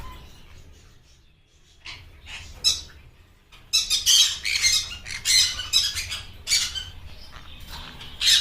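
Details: Harsh, scratchy squawks from a blue yellow-sided green-cheeked conure, quiet at first then a rapid burst of loud grating calls over the last few seconds.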